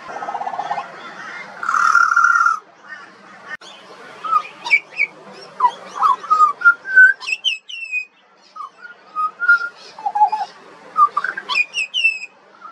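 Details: Juvenile pied butcherbird singing, an Australian songbird; a held whistled note opens, followed by a rapid, varied sequence of liquid, slurred whistles, some high and sharply rising, others low and rounded.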